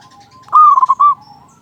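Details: Single short, loud, rippling coo from a local zebra dove with a big voice, used as a lure to get other zebra doves singing, over faint background cooing.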